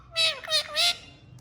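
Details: Talking pet parrot giving three harsh, rasping syllables in quick succession, each a rich buzzy note lasting about a quarter second, then quiet.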